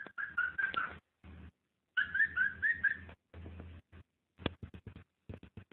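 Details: Cockatiel mating call used to stimulate breeding: short warbling whistles in two bursts, separated by quiet gaps, followed by a run of soft clicks and taps.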